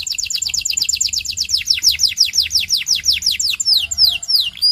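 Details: Belgian canary training song: a rapid chain of repeated downward-sweeping whistled notes, about three per second, ending in a few looser, wider slurs.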